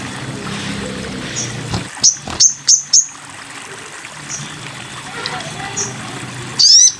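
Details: Sogon bird in masteran training audio: four short high chirps about a third of a second apart, soft faint notes after, and a loud rising sweep at the end over steady background noise.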